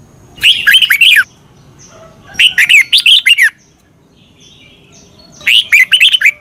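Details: Red-whiskered bulbul song recorded for training caged birds in Thailand; three lively phrases of quick, liquid, rising-and-falling whistled notes, each about a second long, separated by quiet pauses with soft background noise.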